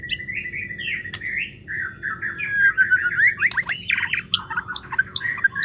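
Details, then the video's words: Female white-rumped shama calling, a sound used to coax silent or stressed males into singing again. Runs of warbled, whistled phrases near one pitch, some rising slurs, then sharper higher notes toward the end over a low steady hum. "suara betina murai batu ampuh untuk memancing murai stres,macet bunyi"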